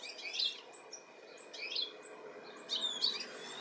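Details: Goldfinch of Europe calling while it seeks its young in the UK, July 2017: three high twittering bursts with thin whistled slurs, over a light background hum.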